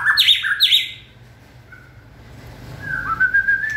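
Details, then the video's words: White-rumped shama in peak 2020-season condition, opening with two harsh, rasping chattering bursts, a pause, then a soft warbled whistled phrase. "Cọp Biển rực lửa (shama bird)"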